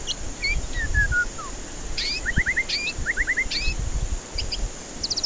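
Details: White-rumped shama lure song aimed at stressed, silent birds: descending whistled notes, then quick clusters of three or four rising chirps repeated, closing with a fast high trill, over a low background hum.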